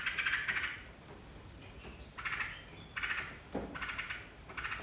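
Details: Yellow-vented bulbul singing as a lure for other birds: chattering bubbly bursts separated by short pauses, a loud one at the start then several more after a gap. A soft low thud near the end, a constant faint high tone.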